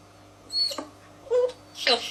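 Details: Domestic African grey parrot born in 1999 mimicking human speech: three quick spoken bursts within two seconds, the first with a high whistled edge, the last breathy and hissing, against a quiet room.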